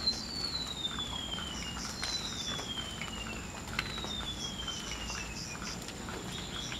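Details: Golden-bellied gerygone in the wild giving three long, high, drawn-out whistles, each sliding steadily downward and spaced about two seconds apart, with soft insect chirps and outdoor ambience behind.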